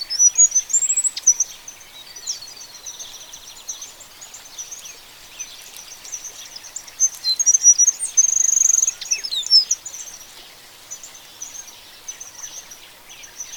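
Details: Oriole Finch (Linurgus olivaceus), an African species, song: very high, thin twittering and tinkling notes in bursts, with a brief buzzy trill near the middle, over faint outdoor hiss.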